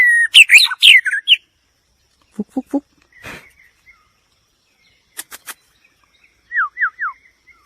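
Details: White-rumped shama song: a loud, quick burst of varied whistled notes, then sparse clicks and short notes, ending with three falling slurred whistles.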